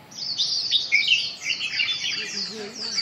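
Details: Red-whiskered bulbul: a dense, bright stream of high twittering and chirping notes, overlapping quick slurred phrases with no pause, over a faint low hum.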